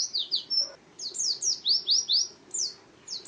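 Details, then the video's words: Ngalas-style song of an Oriental white-eye, a bright, thin chatter of quick slurred high notes strung in uneven bursts of about two a second, with a short gap midway. "Suara Burung Pleci Ngalas Burung Kacamata Durasi Panjang"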